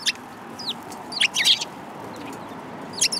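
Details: Sparrows, among them a newly arrived tail-less one, filmed on the way home on 13 February 2022: bright, short chirps, some in quick clusters, scattered across a few seconds over steady background noise.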